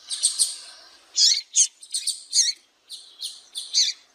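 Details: A female double-collared seedeater (coleiro) calls to stir males into singing, giving high, thin chirps in quick clustered bursts, several a second, with short gaps between groups; nothing else is heard.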